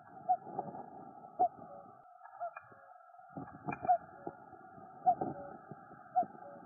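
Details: A common cuckoo in the Noordduinen dunes near Den Helder, Netherlands, gives its low, hollow two-note cuck-oo about once a second over a steady background hum.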